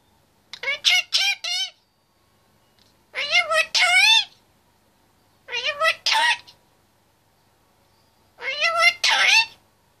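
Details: Caged 25-month-old male Indian ringneck parakeet talking: four clipped, word-like bursts of rapid syllables with rich harmonics, each about a second long and spaced by pauses, with no other sounds heard.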